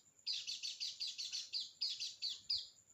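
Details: High, sweet white-eye chirps, about eleven quick notes in three seconds, some ending in a downward slur, framed by a faint thin whistle; played as a lure to make a quiet bird start singing.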